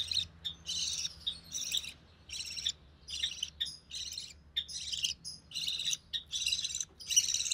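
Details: Recessive pied budgerigar chick being fed by its mother, hatched early June 2020; rapid raspy high-pitched pulses, a little over one per second, with uneven spacing.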